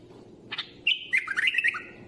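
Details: Bulbul singing a short phrase: a bright note, then a quick run of warbled, whistled notes that slide up and down, ending with a lower note. A faint low hum sits underneath.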